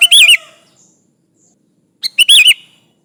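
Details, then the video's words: Sooty-headed bulbul singing energetically to call rivals, used as a lure: two bright, bubbly, wavering phrases about two seconds apart, each starting with quick clicks. "Suara burung kutilang gacor memanggil lawan Ampuh buat pancingan"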